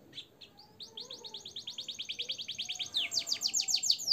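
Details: Singing canary, recorded to tutor caged birds, its song filled with blackthroat and sanger phrases: a few soft notes, then a fast even trill that grows louder and turns into broader, ringing repeated notes.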